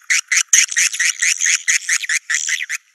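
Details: 'Naga Merah' swiftlet call meant to bring swiftlets to their nests: a run of about a dozen short, rapid chattering bursts of high chirps, each separated by brief silence.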